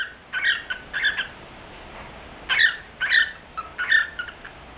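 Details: Indoor pet male cockatiel singing, typical male display with heart-shaped wings and perch tapping; short squeaky whistled phrases in separated bursts roughly every half second to a second, with quiet gaps between.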